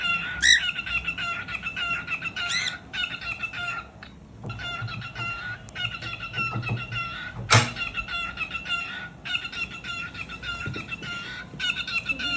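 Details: Two pet cockatiels, one a female said to be jealous of a newly added male, give bright, harsh chattering calls in rapid repeated bursts with brief pauses.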